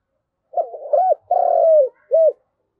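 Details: A single cooing phrase from a spotted dove kept as a ground decoy and calling the flock: brief rolling notes, a rising coo, a long sliding croo and one short clipped ending note.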